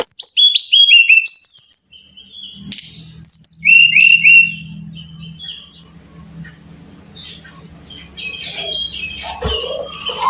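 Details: Brown-chested jungle flycatcher singing, used as tutor audio for caged birds: quick cascades of descending whistled notes open loudly, then softer scattered whistles over a low steady hum and rustling noise.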